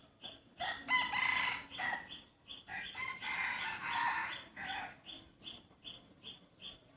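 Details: Free-range chickens kept by a neighbour give loud, harsh harmonic calls in several bursts, while thin high chirps repeat steadily about every half second throughout.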